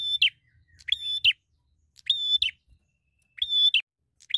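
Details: Bar-winged prinia singing in fighter style while seeking a rival: loud, high, steady whistled phrases with sharp buzzy starts and a dropping end. They come in bursts about every second, five in all, over a faint low rumble.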